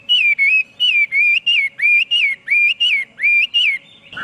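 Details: Chinese hwamei repeating a clear, rich two-part whistled phrase, rising then falling, about twice per second in an even rhythm, with a low hum in the background.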